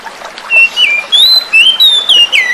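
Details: Oriental magpie-robin, a young forest-caught bird, in a therapy recording to restart singing in quiet birds, over a water soundscape; loud, pure whistled notes in a measured series, steady, rising or dropping, ending on a falling slur.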